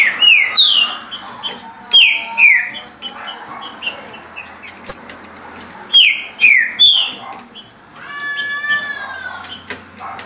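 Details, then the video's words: Green-winged saltator delivering 17 songs per minute, with short bursts of two or three bright, downward-slurred whistles repeated every few seconds, and a buzzier, harmonic-rich drawn-out note near the end. "Trinca Ferro Senhor dos Anéis Passando 17 Cantos por Minuto"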